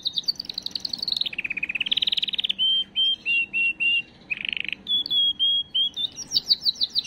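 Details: Canary song for exciting females before breeding, rich and varied: a swooping trill falling then rising, repeated short whistled notes, a harsh buzzy burst, level whistles and a closing high trill.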